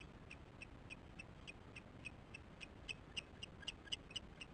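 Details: Osprey chicks calling at the nest on 13 July 2015 at 08:10, filmed by a nest camera: thin, sharp, high chirps repeated about four times a second in a steady series, growing louder toward the end over a soft background hiss.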